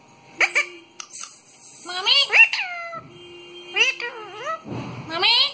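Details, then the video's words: Pet talking parrot giving a string of harmonic, speech-like calls: short upward sweeps, then longer bent notes that glide down, with a steady low hum underneath and a noisy rustling burst near the end. "तोते की प्यारी सी आवाज"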